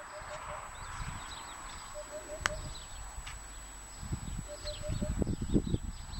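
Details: Eurasian hoopoe singing, recorded 24 February 2013 while out gathering wild asparagus: soft, low hollow hoots, three or four quick notes per phrase, repeated every two seconds or so, over rustling, footsteps and low rumbling.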